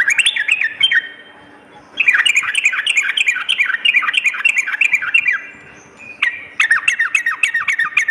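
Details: Night-time Yellow-vented bulbul: three bursts of rapid, repeated falling chatter notes, loud and bright, separated by short silences. The recording is used to lift a bird's fighting spirit.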